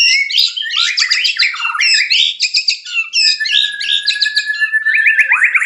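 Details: White-rumped shama, caged and in breeding condition: fast, rich chattering trills and whistled notes, a long level whistle, then a rapid repeated note series.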